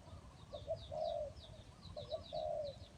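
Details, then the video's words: Trap decoy Spotted dove heard at a distance: short notes then a drawn-out coo, given twice over a hissy background, with faint high chirping birds overhead. "นกเขาใหญ่สายต่อดิน,BirdTrap,The Sound Of the dove"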